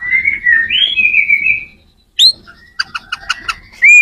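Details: White-rumped shama song used to help other shamas learn to sing: a long wavering clear whistle, a pause, then a sharp upslurred note, a run of short rapid notes and a final rising whistle.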